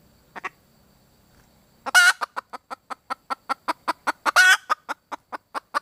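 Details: Female red junglefowl calling for a mate: two faint notes, a pause, then a loud rasping burst followed by rapid clucks, a second harsh burst, and more quick clucks.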